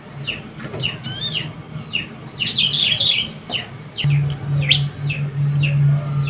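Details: Young prinia, described as very vocal, giving thin, high, downward chirps and a brief buzzy chatter, with a rising whistled sweep early and a steady low hum in the second half.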